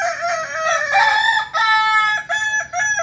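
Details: Kokok Balenggek rooster from Solok, West Sumatra, Indonesia, a songbird chicken bred for tiered crowing: a loud harmonic crow held steady, then broken into short stepped segments with brief gaps, repeated in tiers.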